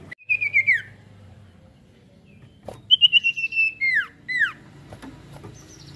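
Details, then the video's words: Sirtu lure song meant to provoke singing from other birds: a short rolled trill sliding down, a pause, then a longer rolling trill and two loud down-slurred whistles. "Pancingan Sirtu Gacor Variasi Ngeroll Mantul"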